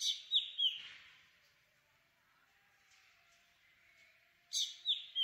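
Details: Black drongo giving a fast triplet of ringing, downslurred notes, then near silence for about four seconds before another triplet bursts in.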